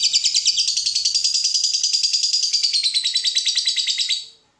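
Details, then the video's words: Long ngekek trill from a lovebird, sung to provoke fighting lovebirds to sing: a rapid, steady, high chatter pulsing several times a second for about four seconds before stopping abruptly. "Lovebird ngetik mompa lanjut Ngekek fighter/pancingan lovebird fighter"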